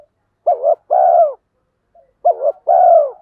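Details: Calling spotted doves, male and female, used to stimulate training birds. A low wavering two-part note and a long descending coo, given twice about two seconds apart.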